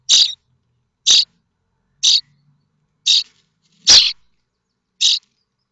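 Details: Common starling nestlings in a nest at Théding, France, on 7 May 2024, awaiting parents with food: short harsh raspy calls, about one per second, six in total, with silence between.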